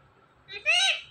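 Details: Indian ringneck parrot kept as a pet, mimicking speech: a brief murmur, then a strong, bright, buzzy word lasting about half a second, arching up and down in pitch. Still indoor background.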